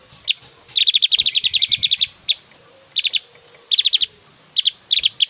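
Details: Javan grey-throated white-eye in full 'tembakan' song, loud and varied, used for tutoring other birds: a long rapid run of high, sharp chips, then shorter clustered bursts of three to five notes.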